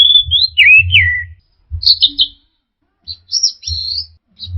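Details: Orange-headed thrush song used as a lure to restart singing in stressed birds: a long whistle running into twisting falling notes, a sharp chattering phrase, a pause, then thin high whistles, faint low rumble throughout.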